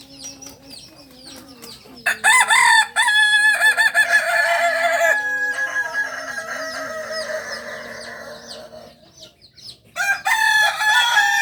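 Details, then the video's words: Farm-kept Kokok Balenggek rooster, Solok's native singing chicken, West Sumatra. It delivers a very long crow of about seven seconds, made of a strained opening and many stuttering, wavering syllables, then a second crow begins. Small birds chirp faintly between. "Ayam kukuak balenggek ayam penyanyi asli solok"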